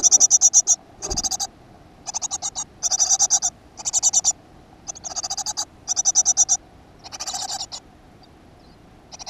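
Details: Great tit, nest box in a school garden, 7 June 2015: short buzzy rattles of quick high pulses, about one burst per second with quiet gaps and a dull knock early on.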